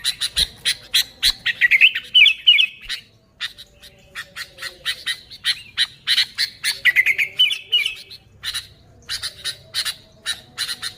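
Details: Sooty-headed bulbul singing loudly in an unmixed recording used as a lure for bulbuls: two rising, fluttering warbled phrases roughly five seconds apart, surrounded by steady rapid rattling clicks.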